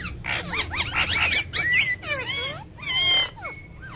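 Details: ['Ring-necked parakeet talking in a funny, angry manner: bursts of stacked harmonic chatter with hooked, falling tones and one bright rising squeal, separated by short pauses, low hum behind.']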